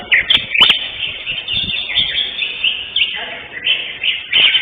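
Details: Greater green leafbird competing in session 5 at Kopdar Mahesa Jenar on 11 October 2025 and winning first place; lively, high chattering song with slurred whistles, sharp clicks near the start and faint human voices.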